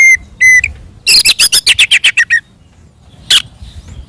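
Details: Oriental magpie-robin singing aggressively to provoke other birds: two pure level whistles open, followed by a fast series of about ten rasping notes and one final harsh burst.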